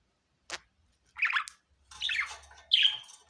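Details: Cheerful pet budgerigar giving a short click, then scratchy chattering chirps and a final piercing whistled chirp, each separated by brief silences.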